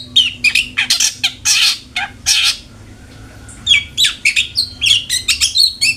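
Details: Long-tailed shrike, a lure to make a kept shrike sing often: rasping harsh bursts and quick whistles, a brief silence, then a lively stream of varied chirping and slurred whistled notes.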